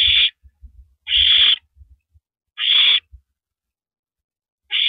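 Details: Owl at the nest passing a rabbit to its mate, evening of April 9, 2012; loud raspy hissing screeches about every one and a half seconds, with scuffling taps from movement in between.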